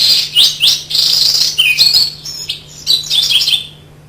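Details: A young Winter Wren's rambling subsong: a continuous, loose run of amorphous, babbling high buzzy trills and thin warbled notes, sloppy and unpolished with song elements out of order, unlike the crisp adult song, over a faint steady hum.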